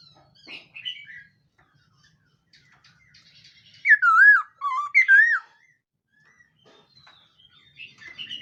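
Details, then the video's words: Khướu mun laughingthrush in morning voice-training song: a few faint chirps, then loud slurred whistled phrases dipping and rising in the middle, with quieter twittering notes returning near the end. "Khướu mun hót luyện giọng . Khướu hót sáng luyện giọng kích bổi"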